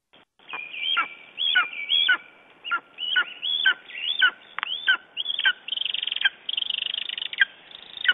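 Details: Lesser spotted eagle calling in the morning in Estonia on 9 June 2011: a busy series of yelping, ringing notes that bend down at the ends, closely repeated, with a stretch of rapid rattled notes near the end.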